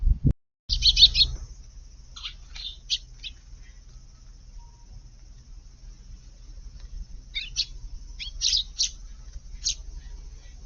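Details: Sparrows dust-bathing in a garden flower bed on a hot summer day, 5 August: scattered short high chirps in loose bursts, some quick doubled notes, over a low background hum.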